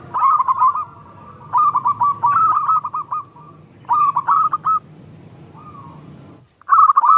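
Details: Zebra dove, local bird, singing a small 'klung' style lure song to spur other doves: repeated phrases of fast stuttering coos, several bursts, a short softer coo, then a final loud phrase.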